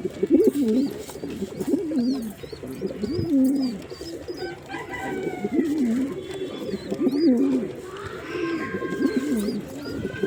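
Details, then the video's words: Male pigeon cooing in a long series of low, quavering phrases roughly every one to two seconds, while small birds chirp in thin, high notes in the background. "Pigeon Sound Effect"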